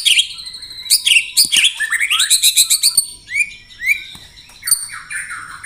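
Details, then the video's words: Rapid 'tembakan rapat' song of a white-rumped shama, used as contest training material: a run of quick sharp chips repeated several times a second, followed by rising whistled slurs and high thin notes. "Tembakan Rapat Burung Murai Batu"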